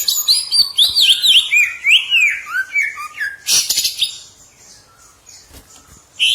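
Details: Green leafbird kept for training caged birds, singing a fast, varied run of whistled, slurred notes that sweep up and down, dense at first then fading to softer scattered chirps after four seconds, with a harsh noisy burst midway.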